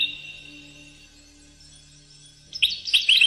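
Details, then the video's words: A European goldfinch recorded in 2013 sings after a quiet start, bursting into quick, bright, high-pitched, liquid twittering notes with a faint steady hum underneath. "Chant Chardonneret"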